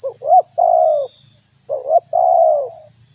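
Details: Spotted dove call used as a lure to attract wild doves and provoke rivals: two phrases, each a short broken, wavering note followed by a longer drawn-out coo that gently falls at the end, over a steady high hiss.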